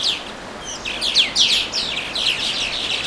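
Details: Songbird chirping beside the Watarase River on May 4, a rapid run of bright, high downslurred notes, roughly three per second, irregularly spaced and fairly loud.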